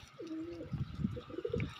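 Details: Pigeon giving a short low coo that slides slightly, followed by soft grumbling pulses, with a steady hum in the background.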